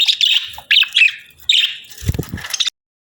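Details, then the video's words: A pair of budgerigars during breeding season gives high chirping chatter in three short warbled bursts, followed by a low rattling, scratchy noise before silence. "Budgie Pair Chirping Sounds 🐦💕 | Budgie Breeding Season 🦜✨"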